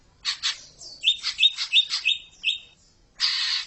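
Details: Greater green leafbird tutor song meant to get young birds singing in ngekek style: a quick run of varied high chirps and short whistled notes, then a harsh rasping burst at the end.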